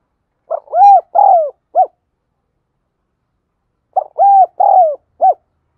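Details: Lure spotted dove giving thúc gù gáy gọi calls: two loud phrases about three seconds apart, each a stammered sequence of four hollow coos, the middle ones longer and gently falling, in otherwise quiet surroundings.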